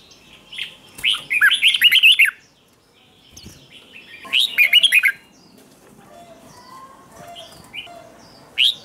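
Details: Red-whiskered bulbul morning song, played to coax a newly caught bulbul into fierce contest singing: two loud bursts of rapid warbled, slurred notes, each about a second long, with faint chirps from other birds between and a brief phrase at the end.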